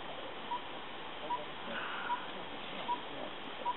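A tinkerbird gives short, mid-pitched tink notes, evenly spaced about every 0.8 seconds, over a steady hiss like rushing water.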